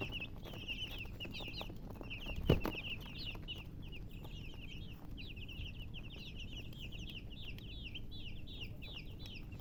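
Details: Baby chickens keep up a lively chorus of high, quick, downslurred peeps, with one sharp knock early on and steady low background noise.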